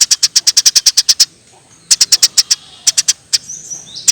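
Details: Energetic Eurasian tree sparrow, for training songbirds: a fast even string of about twelve sharp chirps, a pause, then shorter chirp groups and a soft twittering trill at the end.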